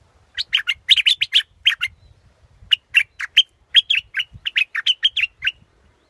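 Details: Scarlet-backed flowerpecker producing crisp, high chipping notes in uneven clusters, a dense run at first, then a short gap, then more spaced ticks; otherwise quiet background.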